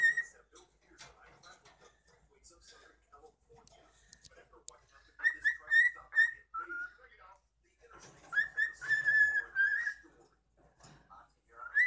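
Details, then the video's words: A pet cockatiel whistling for the camera indoors gives clear, tuneful phrases around a steady pitch, in two bursts with small chatter between, with soft background voices. "whistling for the camera"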